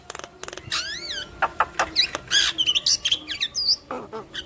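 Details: Javan myna with yellow eyes, singing energetically with head bobbing. Clicks lead into a double wavy whistle, then a jumble of buzzy bursts and twisting squeaky notes.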